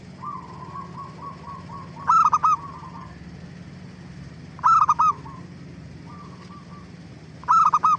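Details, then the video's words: A zebra dove sings as a lure meant to make other doves reply. Low soft coo trills run between loud, clipped, stuttered bursts of three to four notes, which come roughly every two and a half seconds. "Suara Gacor Burung Perkutut Paling AMPUH pancingan BURUNG PERKUTUT CEPAT BIKIN NYAUT"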